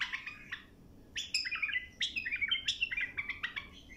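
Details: Bulbul singing a continuous, lively warble meant to teach young birds a clear song: quick fluty notes jumping up and down in rapid succession, over a low steady background hiss.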